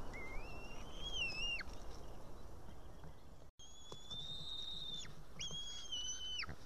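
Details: White-tailed eaglet chick in Estonia, unable to tear a live fish, calls for the parent on a June 2018 evening: three long, slightly rising high whistles, each ending in a sharp downward drop.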